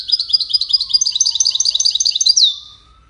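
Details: Wild European goldfinch, one of five in a song competition, delivers about two and a half seconds of rapid, high, tinkling twitter with buzzy notes, ending in a downslurred note. A faint, low, steady tone runs underneath.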